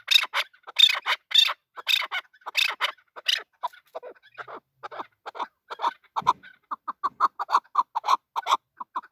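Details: Male chukar partridge starting with loud, harsh bursts, then dropping to softer, quicker mid-pitched chuck notes repeated in a steady stream.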